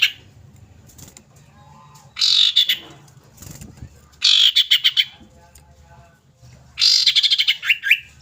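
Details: A female common iora calls for a male, a lure recording: three separate bursts of harsh buzzy chatter, each about a second long with rapid pulsed notes, one ending in a dropping slur, over faint knocks.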